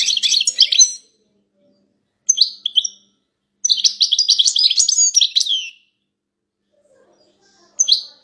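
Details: Female European goldfinches chattering together, a group call used to prompt a male goldfinch to start singing: bursts of high, buzzy, tinkling twitters lasting one to two seconds, separated by silent gaps, with a short nasal note between bursts.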